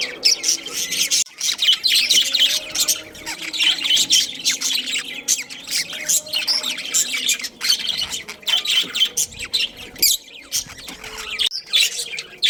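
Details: Budgerigars, a breeding pair of Australian parrots, give a dense, continuous warbling chatter of rapid high chirps and scratchy squawks, with brief pauses and no other clear sounds.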